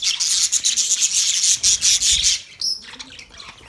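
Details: Australian budgerigars giving a rapid, rasping stream of high chirps for over two seconds, then a brief pause and a few thinner notes.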